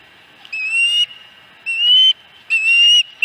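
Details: Osprey calling at its nest, Dunrovin Ranch, 26 August 2020 (fourth fish): three long, loud, clear whistles, each gently rising and held about half a second, with short pauses between.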